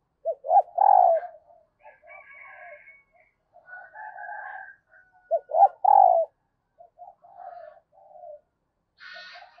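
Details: Female dove calling to excite males. Rapid bursts of low, hollow coos build to a drawn-out, dropping note and recur twice. Fainter higher drawn-out calls from other fowl and a brief rasping sound fill the gaps.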